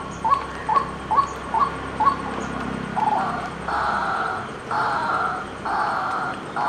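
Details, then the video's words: A white-breasted waterhen utters five short hollow notes in quick succession, then a broader, harsher, drawn-out sound takes over in several long bursts. "White-Breasted Waterhen Unique Sound"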